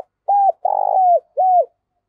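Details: Loud, clean spotted dove coo in the 'thổ pha' voice style: three low hooting notes, the middle one longer with a rapid pulsing start before a smooth falling tail, in a quiet setting.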